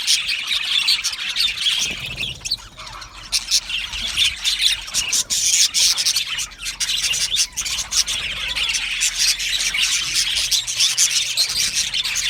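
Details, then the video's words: Flock of budgerigars in an aviary, chirping contentedly; rapid, scratchy twittering from many birds at once, with a brief dip in the chatter around the second mark before it builds again. "Happy Budgie birds chirping sounds"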